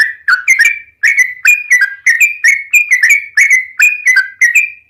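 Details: Energetic Yellow-vented Bulbul song: a string of short, liquid, warbling phrases, each a quick bubbly burst of whistled notes, about a dozen in five seconds, loud and close in a quiet setting.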